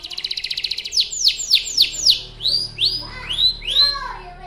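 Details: Canary lure song: a quick stuttering trill leading into repeated falling whistled sweeps and then slower rising whistles, loud and high.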